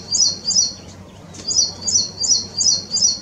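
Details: Ashy prinia singing clearly and close, with a string of high, sharp, slightly slurred notes repeated roughly every third of a second, pausing briefly before resuming.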